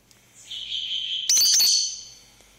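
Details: Tame lovebird getting excited indoors: a sustained high, shrill squeal lasting about a second, then a louder harsh, rasping screech that fades out.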